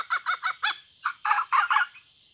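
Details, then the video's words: A hen gives a burst of harsh, throaty clucks, about eight short notes in quick succession, some doubled, ending in a brief quiet pause. "suab poj qaib tsauj seev dib"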